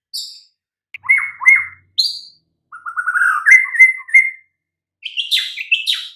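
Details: White-rumped shama song from a recording used to make mute, listless birds respond quickly: high clear notes, then a run of buzzy rising trills and whistles, ending with a burst of rough high notes.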